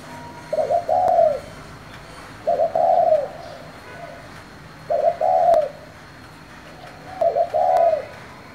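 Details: Spotted dove calling in the 'thổ' voice style, used to stir other doves into calling quickly; four low cooing phrases, each two short notes then a longer drawn-out coo, repeated about every two and a half seconds over a steady background hiss.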